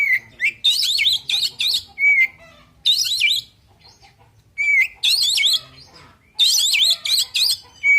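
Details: Oriental magpie-robin in aggressive fighting song, loud rasping and warbled phrases that jump and twist in pitch, punctuated by pure whistled notes, in clustered bursts with short pauses between.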